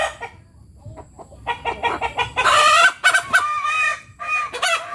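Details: Village hen's post-laying cackle, "tok tok petok", shrill and high-toned. Quick clucks run into loud, hoarse, drawn-out squawks, repeated in bursts.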